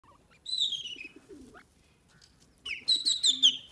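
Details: Francolin (teetar) feeding on grains. Loud whistled calls with a sliding, falling tone are followed by a pause, then a burst of several sharp, clipped notes, with soft low clucks in between.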